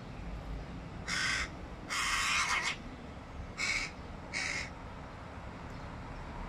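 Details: Young hooded crow begging its father for food in July 2022: four harsh, hoarse cawing calls, one long drawn-out, the others short, spaced about a second apart, over a quiet rumbling background.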